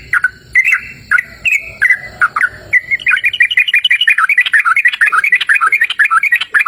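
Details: Yellow-vented bulbul in a cool open outdoor setting, giving spaced, gurgling whistled phrases that speed into a rapid, chattering stream of bubbly notes, about three per second, over a faint steady high hum.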